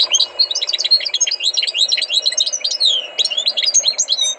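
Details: A tutored European goldfinch sings a continuous stream of quick, high twittering chirps and liquid trills, densely packed, over a soft low hum.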